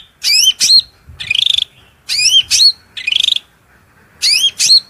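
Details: Cucak rante singing a shrill masteran phrase set, filled with murai, cucak ijo, kacer and cendet material, over water: paired high curling whistles alternating with short rattling buzzes, repeated about every two seconds.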